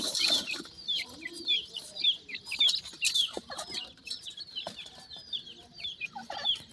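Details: Pheasant chicks calling their mother while feeding: many thin, high downslurred peeps overlapping in quick irregular bursts, close together with short pauses, plus soft clucks and scattered clicks and rustling.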